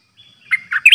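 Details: A newly kept decoy Streak-eared bulbul in 'dok' song, recorded 6 May 2022: a thin whistle followed by three loud, rich chirped notes rising in pitch.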